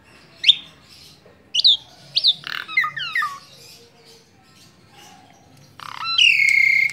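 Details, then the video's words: A tame Asian pied starling gives sharp upward-flicking whistles and a cluster of chattering notes, then a long, steady, harsh rasping note near the end. "Kicau burung jalak suren jinak total"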